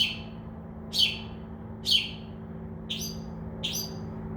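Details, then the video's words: Northern mockingbird singing at night from a tree outside a window, a mimic that copies crow caws and other sounds; sharp descending chirps repeated about once a second, with a steady low hum behind. "mocking bird makes crow sound, dove wing sounds and others"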